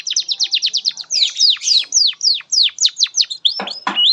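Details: Singing canary serving as a training master for young birds: series of quick descending whistled notes, then slower looping sweeps and a couple of broad harsh notes near the end.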